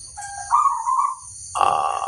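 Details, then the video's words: Zebra dove, a crossbred bird used as a master song for training other birds: a soft, slightly wavering mid-pitched coo, then a brief gap and a second, louder coo. A steady high whine runs throughout. "suara sang masteran burung perkutut crosing"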